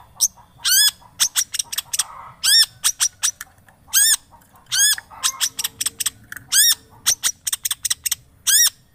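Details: Long-tailed shrike lure recording, played to get a silent shrike singing again: loud, harsh, buzzy squawks with strong harmonics, given in quick irregular bursts and rapid chattering series, with faint low background noise.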